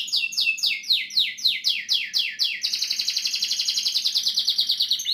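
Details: A canary (Serinus canaria) in a greenhouse sings bright, rapid tours of repeated notes, first descending sweeps, then a fast high trill.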